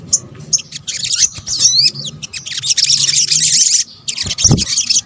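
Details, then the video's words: Sunbird (sogok ontong) calls combined for luring birds in Indonesia: sharp high chips and a wavering whistled trill, then a long run of dense scratchy twittering, ending after a brief gap with a low thud. "PANCINGAN SOGON BUNYI AMPUH | kombinasi suara sogok ontong"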